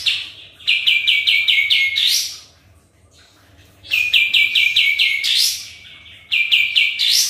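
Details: Sooty-headed bulbul in full lure song: three phrases of rapid, evenly spaced notes, each ending in a steep upward sweep, with near-silent pauses between phrases.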